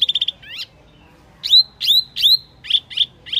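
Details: Luring sound of the Wambi mini: a fast chattering burst, then loud rising whistled slurs repeated about three times, followed by shorter high chips.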